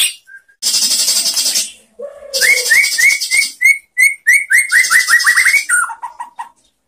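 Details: Training song from a White-rumped shama for other shamas: harsh buzzy bursts, then a rapid series of clear rising whistled notes ending in a descending run.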